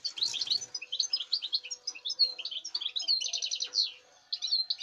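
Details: This season's European goldfinch, recorded 05.08.2019, delivers a continuous rapid twittering song of bright chirps and trills, with a short pause near the end before resuming.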